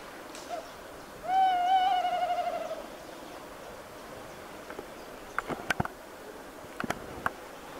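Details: Tawny owls: one long, slightly wavering hooted note of about a second and a half, followed by scattered sharp clicks and knocks.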